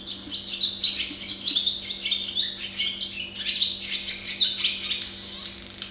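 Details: Uninterrupted warbling song of a barn swallow (Hirundo rustica) observed closely, made of quick high chirps, thin whistles and scratchy twitters, closing with a short dry buzzy rattle; soft electrical hum underneath.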